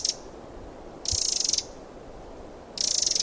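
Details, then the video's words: Wild Eurasian wren uttering harsh, buzzy rattling calls, each burst lasting about half a second and separated by pauses, over a steady hiss of background noise. "chants et cris du troglodyte mignon- HD/ calls and songs european wren"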